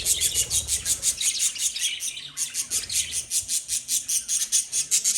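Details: Lovebirds kept as pets give a steady stream of sharp, high chirps, about two or three per second, in a fast pulsing chatter with faint low rumbles beneath.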